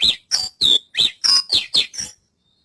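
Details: Javan bush lark singing a quick run of eight sharp, buzzy notes, each stepping around a high pitch, closely spaced over about two seconds, then silence.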